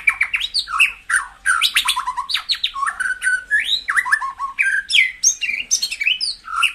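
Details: White-rumped shama singing, song played to stimulate caged birds into fiery form: a rich, fast, continuous stream of varied whistles, slurred upward and downward sweeps, and harsh chattering notes, with no other sounds.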